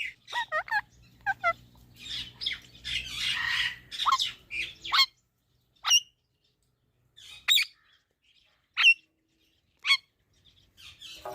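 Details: Pet parrot giving harsh squawks and short chattering notes, clustered at first over a low hum, then single sharp calls spaced a second or two apart with silence between.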